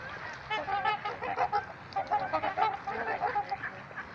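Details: At Gallup Park in Ann Arbor, Michigan, a flock of trumpeter swans gives a quick series of nasal trumpeting honks, many birds overlapping in an almost continuous, pulsing chorus.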